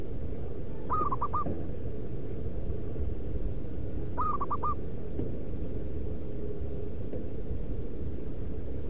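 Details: Local zebra dove used as a lure to call wild doves gives two quick, staccato cooing phrases, a rising note then a rapid run of soft beats, about three seconds apart, over a steady low rumble.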